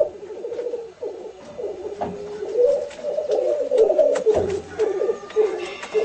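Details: Low bubbling cooing from a displaying black grouse, wavering slightly in pitch, with soft knocks and a brief lower rumble in the background.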